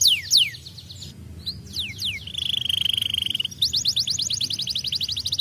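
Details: Canary, described as singing again in full voice, with high whistled downslurs, a steady buzzy trill held for over a second, then a fast run of repeated rising-falling notes.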